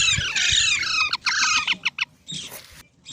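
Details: Green parrot giving rapid runs of harsh, stacked screeches in quick bursts, then short clipped calls separated by brief pauses, ending with a scratchy burst and one more short note.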